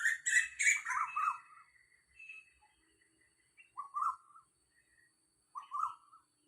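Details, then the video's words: Wild Asian koel calling beside a house in early morning, about 6:40 on 4 October 2022: mid-pitched two-part rising notes repeated twice in the later seconds, after a burst of busy high chirping from other birds at the start. "เสียงนกกาเหว่า - นกกาเหว่าร้องเสียงแบบนี้ครับ"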